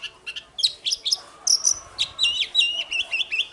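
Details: Stimulating morning duel song from an oriental magpie-robin: quick chirps and a piercing high whistle, then a tumbling sequence of short stepped whistled notes delivered rapidly and evenly.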